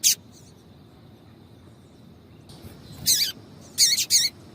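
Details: A female Double-collared seedeater calls to stimulate a male with a single sharp chirp, a silence, then three harsh buzzy high chirps, the last two paired.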